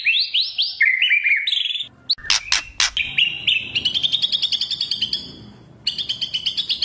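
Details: White-rumped shama in kretekan style, used as a lure to provoke other birds into singing: rising whistled slurs and warbles, a few sharp loud clicks, then a fast rhythmic series of rattling repeated notes that breaks off and resumes.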